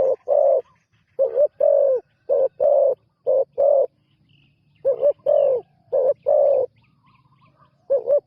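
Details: Newly trained spotted dove on its first outing as a ground decoy, giving deep, hollow cooing phrases of clipped double notes followed by longer held coos, with a short quiet pause between bursts.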